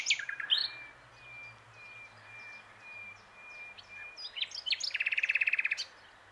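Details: Common nightingale on its branch at the Plan d'eau du Breuil, Bourbon-Lancy, giving a sharp opening note, then long level whistles repeated slowly, ending in a fast, loud, buzzy rattle of rapid notes.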